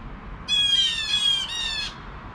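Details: Blue jay alarm call at 7 AM: a single harsh, nasal squawk lasting about a second and a half, briefly breaking near its end, over a quiet background.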